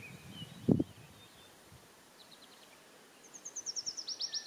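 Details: A spotted flycatcher calls with a few faint, high, thin notes, then a quick run of sharp, high, slightly falling tsee notes about five a second, with a low thump early on.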